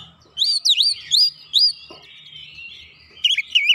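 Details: Oriental magpie-robin song used as a lure against rival birds; a few loud looping whistles, a soft trailing warble, then renewed quick bright notes at the end.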